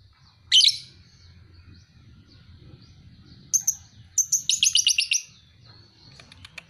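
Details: Pale-headed (paud) lovebird, two and a half months old, kept as a fighter bird: a loud harsh chirp, then a pause, then a burst of rapid repeated buzzy chattering notes near the end.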